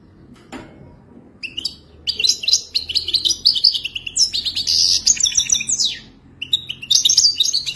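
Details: European goldfinch singing for mating, played to teach a pet goldfinch: after a click, a long run of quick, jangling, tinkling notes and rolling trills, with a brief pause near the end.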